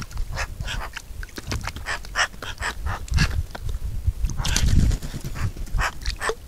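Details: Eurasian magpie, Pica pica, chattering in rapid runs of scratchy broadband notes, with a louder low rumble of wind midway.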